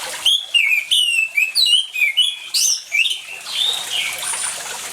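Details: Singing orange-headed thrush, used as a lure to get silent birds singing: rapid run of clear whistled and slurred notes with high overtones, pulsing twice a second, then trailing off into running water noise.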